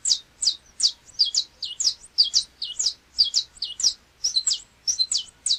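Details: Brazilian canário-da-terra (Saffron Finch) pouring out a continuous series of loud, high chirps. The notes are varied, some hooked or doubled, and follow one another closely in an uneven rhythm.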